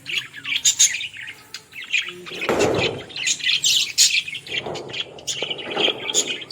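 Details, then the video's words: A busy flock of Australian parrots chattering: high, quick chirps and warbles overlapping throughout, with a few harsher bursts of squawking or fluttering. "Australian parrot original sounds"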